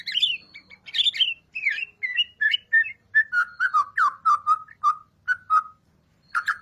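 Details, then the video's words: White-rumped shama song for luring birds to sing: a clear series of whistled notes, each short and spaced, stepping gradually lower in pitch and ending in a final higher burst. "Pancingan murai batu gacor 🔥 Burung auto bunyi"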